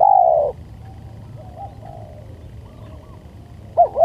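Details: Spotted dove lure recording: one loud, drawn-out, slightly falling coo opens the clip, followed by quiet faint notes, then two short arched notes near the end.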